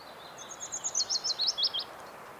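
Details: Willow Warbler from the Geilo area, Norway, in early summer; a short, quieter phrase of soft whistled notes rising in strength, set against a steady hiss of background noise.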